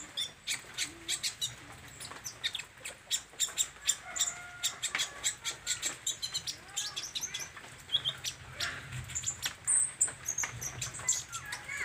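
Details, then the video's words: Energetic olive-backed sunbird song of short, piercing high chirps repeated in quick succession, forming a steady chattering pattern with occasional higher squeaky notes. "SUARA BURUNG KOLIBRI NINJA GACOR"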